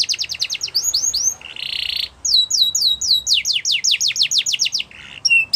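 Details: Training song of a Yorkshire canary for teaching young birds, made of fast repeated whistled sweeps, a short buzzy rattle, then quick descending slurred notes in rapid succession, ending with another low buzzy trill.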